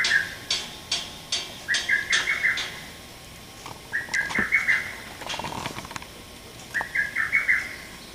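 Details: Male lesser cuckoo recorded on 30 May 2017. It gives three bursts of quick, sharp whistled notes, a few seconds apart, over a background of scattered clicks and ticking sounds.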